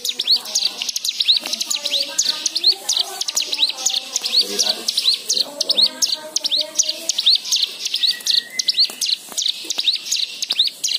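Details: White-eye singing as a lure to prompt other birds, with varied fill-ins: dense high twittering of curved chirps, lower warbled notes in the middle, and a level whistle near the end.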